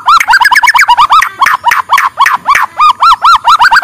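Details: White-rumped shama singing in the morning, played to coax reluctant shamas into song: a fast, loud run of repeated arched, ringing notes with bright overtones, several per second, barely pausing throughout.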